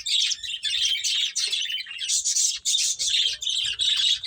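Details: Several finches feeding and chirping together, a nearly continuous high-pitched twittering chorus in quick pulses lasting the whole stretch.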